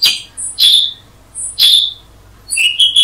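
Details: Black-headed bulbul (Brachypodius atriceps) with a few sharp, high chip notes spaced about a second apart, each preceded by a thin faint whistle, ending in a quick pair of notes.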